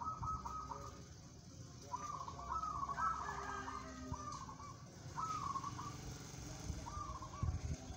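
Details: Competition-grade local zebra dove singing a run of quick, rippling trilled coos, several phrases strung close together then spaced out, with a low rumble and occasional thumps in the background.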